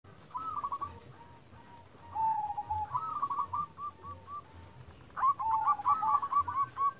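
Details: Local zebra dove calling persistently, used as a lure to make other zebra doves call back; fainter, soft rolling coos in quick stuttering runs come in three bursts over a low background rumble and hiss.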